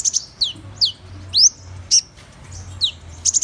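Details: A few thin, slurred notes from a Van Hasselt's sunbird, falling and rising sweeps spaced about half a second apart, ending in a brief quick trill.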